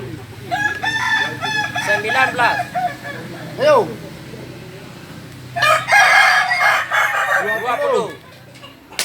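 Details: Kokok Balenggek roosters, a native chicken of Solok, West Sumatra, crowing in several overlapping bouts of stepped, arching notes with rapid broken syllables; a short lone crow sounds midway; faint music and clapping in the background.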